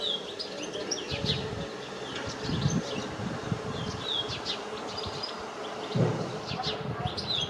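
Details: European goldfinch singing: short twittering and chirping notes, some with quick rising or falling slurs, scattered through the recording over a steady low hum, with a few duller low thumps.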